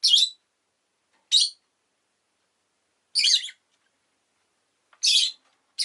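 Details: A rosy-faced lovebird repeats strident, buzzy chirps roughly every one to two seconds, each short and shrill, in an otherwise quiet setting.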